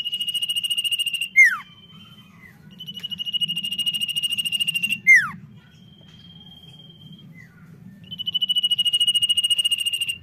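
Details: Lively common iora song: long, high, evenly pulsed trills alternate with steep falling sweeps and thin level whistles, a pattern repeated three times.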